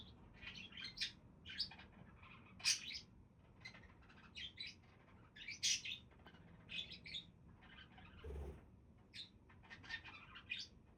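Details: Budgerigars chattering: a steady stream of short, harsh, high chirps and warbled squeaks arriving in loose clusters every second or so, with one low thump partway through and faint room hum underneath.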